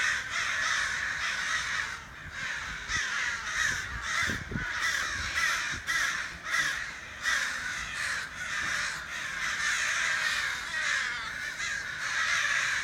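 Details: Crows calling outside a back door, a dense run of harsh, raspy caws overlapping almost without pause, several birds at once.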